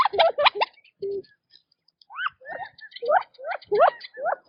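Quail giving quick chirps, each a short rising or looping whistle, in two bursts: a fast cluster, a low note, then six more evenly spaced chirps.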